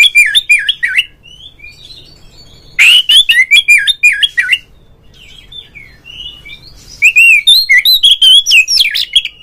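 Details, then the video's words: Oriental magpie-robin (kacer) giving a loud, clear 'ngeplong' call with 'ngobra' display, meant to set other magpie-robins singing; bursts of rapid warbled whistles and sharp chirps, quieter scratchy notes in the gaps between phrases. "suara panggilan Kacer NGEPLONG nge-play Ngobra GACOR bikin semua JENIS BURUNG KACER ikut GACOR"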